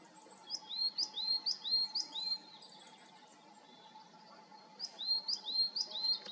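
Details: Coal tit calling from pine woods in Serra da Groba, Galicia: a run of about six high, bouncy two-note 'tit-tuii' whistles, silence, then four more. A soft steady hum is present throughout.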